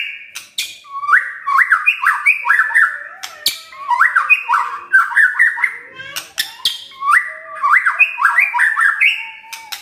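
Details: White-rumped shama singing a crackling, bursting varied song, repeated clusters of quick stepped whistles broken by sharp dry clicks.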